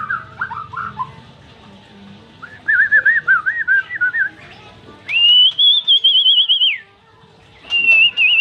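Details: White-rumped shama song of loud whistled trills: a warbling sequence, then a long high quavering trill, and a final shorter high trill.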